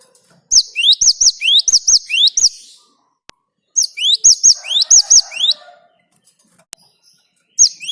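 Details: Great tit song used as a lure to get other birds singing: a rapid run of paired notes, each a rising sweep followed by a high clipped note, repeated about every half second in two bursts separated by a pause.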